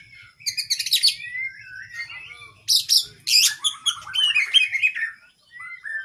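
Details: Caged kacer (oriental magpie-robin) singing a long training song with fills: whistled glides, two harsh high buzzy bursts, then quick chattering descending notes.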